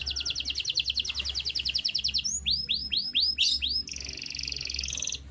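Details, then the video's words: Canary singing in the morning: fast trills of high repeated notes, then a series of sweeping downward whistles, then a sustained buzzy high warble, with a steady low hum underneath. "5 Minutes Canary Chirping Sounds"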